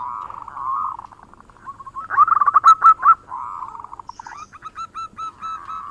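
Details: Local male zebra dove singing actively with a natural voice, recorded as a lure sound: purring trills, a loud fast stuttering phrase of bright coos, then steady repeated clipped notes.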